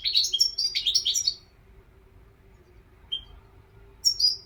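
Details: European goldfinch giving a lively, jangling run of fast twitters, then near silence broken by one soft chirp and a final pair of bright notes.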